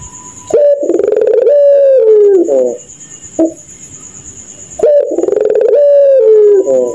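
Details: Two laughing songs from a puter pelung dove after dark, separated by a quiet gap. A brief short note is heard between them. Each song is a rapid pulsed stammer leading into a sustained, sinking coo with a rough ending. A steady high hum continues throughout.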